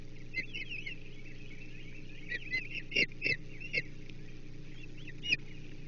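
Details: Osprey on a Chesapeake nest, 1 June 2024, as the male delivers a menhaden for breakfast; bursts of short, sharp whistled chirps come in quick series, mixed with knocks and thumps at the nest over a low steady hum.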